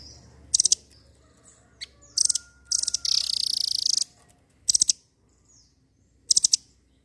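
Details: Energetic velvet-fronted nuthatch, used to spur other birds into song, giving sharp, very high staccato chatter bursts and one sustained rapid trill lasting about a second, separated by brief silences, against a faint low hum.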